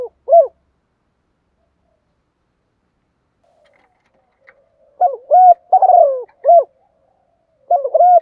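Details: Caged decoy spotted dove singing in the "giọng thổ pha đồng" style used to provoke wild doves: one short mellow coo, a long silence, then a cluster of four soft, slightly falling coos, and a final pair of notes.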